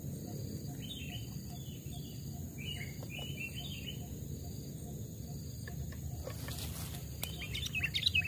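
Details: Sooty-headed bulbul, a trapped bird aged two to three years and raised from a chick, tested in a forest; short, bubbly phrases of rising and falling whistled notes in the first seconds, then quiet, over steady low rumble and insect hiss.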